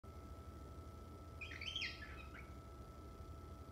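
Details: A pet male cockatiel a few months old gives one brief, high warbling chirp lasting about a second, over a steady indoor hum and a faint electrical tone.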